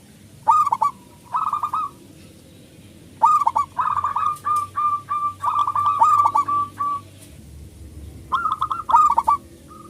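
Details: Loud local zebra dove singing to lure other doves into song, giving clusters of rapid cooing pulses in four spaced groups, with quiet gaps between them.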